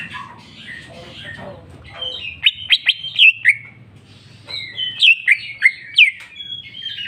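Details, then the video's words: Greater green leafbird (cucak ijo) in 'jamtrok' song with 'bongkar isian': quiet muttering at first, then two bursts of crisp whistled notes, sharp upward flicks and falling slurs, separated by a short pause. "cucak ijo mewah ful jamtrok bongkar isian"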